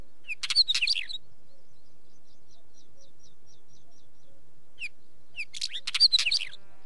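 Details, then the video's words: A wheatear gives two short bursts of scratchy, jumbled warbling song with whistled notes, separated by a quiet pause with a faint series of ticking clicks. "Wheatear Bird call - Bird Song"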